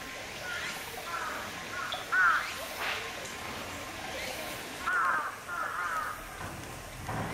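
White-tailed eagle giving short, harsh yelping notes in scattered bursts a few seconds apart, over a soft wash of water and background noise.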